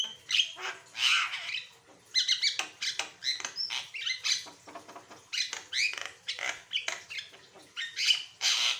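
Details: Asian pied starling singing in a varied, energetic style, used to coax other birds into song: scratchy rattles mixed with squeaks and whistled upslurs, phrases tumbling one after another.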